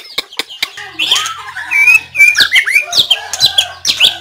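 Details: White-rumped shama, 17 April 2024, giving a varied run of high chirps, slurred whistles and squeaky notes mixed with clicks, with a faint low hum underneath.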